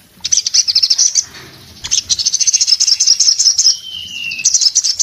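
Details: An orange-headed thrush in breeding condition delivers long runs of fast, high, buzzy chatter, pausing briefly, then adding a single clear downward-sliding whistle before resuming.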